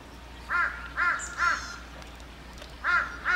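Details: Harsh, grating caws from a neighbourhood crow flock of hundreds gathered on power poles: three evenly spaced calls, a gap of over a second, then two more, over a steady low background hum.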